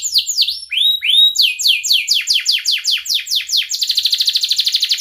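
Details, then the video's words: Canary song used to teach young canaries to sing: rapid series of downward-sweeping whistled notes, then fast repeated chirps speeding into a buzzy high trill near the end. "kenari gacor panjang Cuit Cuit EMOSI, Pancingan Kenari Paud Belajar Bunyi"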